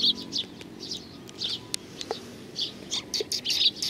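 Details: Sparrows coming for food at Tenmangu, Nakanoshima, 21 June 2020, chirping in short high notes at an irregular pace, with faint clicks and low background hum.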